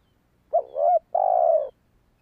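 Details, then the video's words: A single spotted dove phrase, played to entice wild doves: a sharp short note sliding into a wavering coo, a tiny break, then a long, level, gentle hoot lasting about half a second. "Tiếng chim cu gáy kích bổi hiệu quả"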